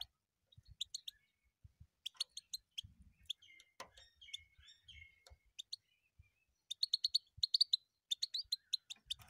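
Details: Goldfinch song of scattered high chirps and trills that start sparse and thin, then build into a dense, rapid tinkling run near the end.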